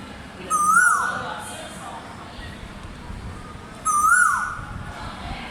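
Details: Asian koel (koyal) voice: two clear, rising whistled notes with a small downturn at the end, spaced about three seconds apart, over low steady background noise.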